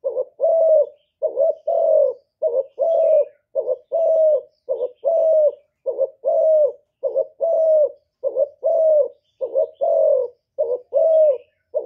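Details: Decoy spotted dove from Cà Mau, Vietnam, cooing to provoke wild doves: a steady run of short two-part mellow coos, each a quick note then a longer level one, roughly once per second with no background noise.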